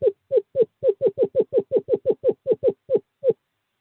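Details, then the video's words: Courting-season male screech owl at a nest box, calling to a female on 11 February 2023: about sixteen low, slightly descending hoots in an uneven rapid series, then silence. "Male screech owl calls female to owl box"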